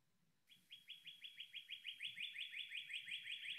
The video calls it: Here we have the song of the northern Cardinal.